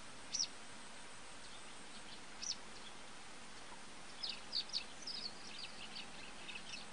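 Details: Citrine wagtail, 13 November 2015, gives short, high, buzzy calls, first singly and then in a quick cluster of four or five, over a steady background hiss.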